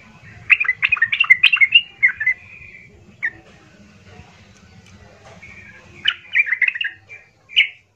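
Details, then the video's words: Yellow-vented bulbul, called trucukan in Indonesian, singing loud rough gacor song used as a lure to provoke other bulbuls; bursts of bubbly, warbled notes in two clusters separated by a quiet gap, low hum beneath. "pancingan trucukan gacor kasar"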